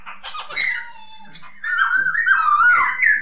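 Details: Masked laughingthrush (poksay hongkong) singing indoors: a slurred, warbling whistle wavering near one pitch, a short bright burst first, then a longer rising and falling run after a brief pause.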